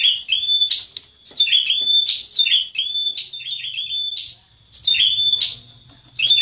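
A prinia gives rapid bursts of high, buzzy, chattering notes over a thin sustained whistle, with a new burst roughly every second and brief pauses between.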